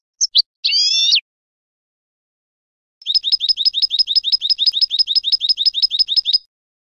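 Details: European goldfinch song: a few short high notes and a brief buzzy burst, then a pause followed by an evenly repeated, rapid high trill of matching notes lasting about three seconds. The background is silent.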